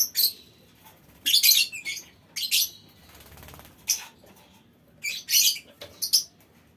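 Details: Small-aviary lovebird colony calling to prompt other birds into long chattering: irregular clusters of shrill, raspy squeaks separated by quieter gaps with a faint hum.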